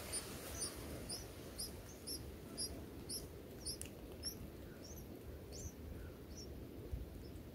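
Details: Bulbul nestlings in a nest among banana plants while a parent feeds them; faint, thin, very high short chirps repeated about twice per second over a steady low background rumble.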